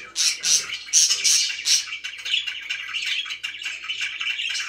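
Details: Budgies kept as pets chirp in a small room: a run of five or six loud, high, clear chirps about a third of a second apart opens, then softer continuous warbling chatter follows.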